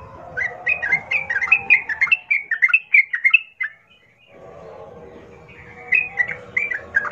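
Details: Bubbling, chattering phrases of a yellow-vented bulbul used as a fighting lure; a long run of quick rising and falling chirps, a brief pause, then another chattering burst over steady low background noise.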